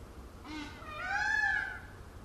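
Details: One long, piercing, harmonic-rich cry from a peacock dancing with its tail feathers spread, swelling then fading in a smooth arch after a brief softer lead-in note.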